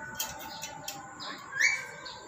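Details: A tame, pet Black-capped lory (Lorius lory) calls loudly with harsh screeching notes and a sharp rising squawk near the end, over a faint background hiss.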